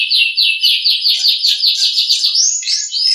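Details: Nias hill myna in a training recording for other birds: a rapid, even series of clear slurred whistles, about four per second, held at one high pitch and ending in a longer upswept note.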